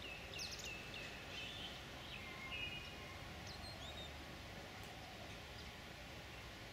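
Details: Grey-headed canary-flycatcher (Culicicapa ceylonensis) in Hakgala Botanic Gardens, Nuwara Eliya, Sri Lanka, 23 February 2011 around 17:15, giving thin, high chirps and short twittering notes at irregular intervals over a steady low rumble.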